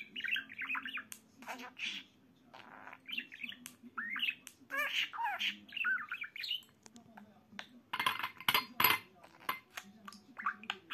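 A budgerigar chatters in rapid warbling, scratchy phrases broken by sharp chirps and squawks.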